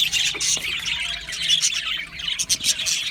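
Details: A short burst of budgerigar song: warbling high chatter followed by a few separate sharp chirps.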